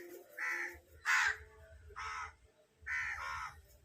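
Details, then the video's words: Crow, described as hungry, calling with five loud, rasping caws in quick succession. The bursts come in uneven pairs over quiet background hum. "Hungry Crow"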